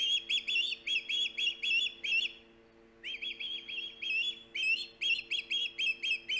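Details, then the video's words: Osprey at the Hog Island nest, 3 September 2019, recorded by live camera: two bursts of loud whistled chirps, seven then about eleven, split by a brief pause, with a low constant hum. "Halley, loud and proud! Hog Island Ospreys."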